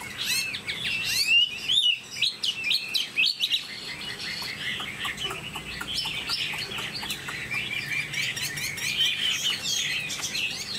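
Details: Chinese hwamei in a cage opens with loud, sharp whistled notes and fast trills, then continues with a softer, busy stream of warbled notes.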